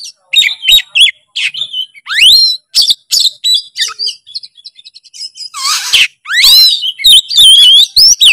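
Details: Energetic Oriental magpie-robin full tutor song, a jumble of sharp chips, upward-swept whistles, a rough harsh burst midway and rolling warbled phrases, all fast and unbroken.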